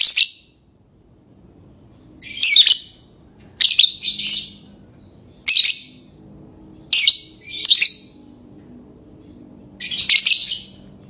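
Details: Lovebird chirping: six shrill, harsh bursts of chatter at irregular gaps of one to two seconds, with a quiet background between calls.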